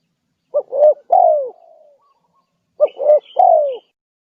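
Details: Spotted dove lure call, played to attract other wild doves: two low cooing phrases, each of three notes ending in a longer falling coo, about two seconds apart.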